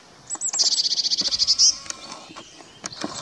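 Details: Eurasian blue tit during courtship, Kotthausen forest, Wuppertal Beyenburg, NRW, 12 May 2021; a thin introductory note then a quick high rattling trill of repeated pulses ending in a brighter rising note, with scattered faint ticks afterwards.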